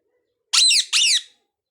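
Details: Parrot producing a double squawk: two loud, coarse, downward-curving cries separated by a brief gap, with a quiet background.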